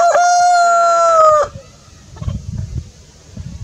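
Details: Rooster crowing in the morning, one loud sustained cock-a-doodle-doo lasting about a second and a half, followed by quieter low rustling and soft clucking sounds.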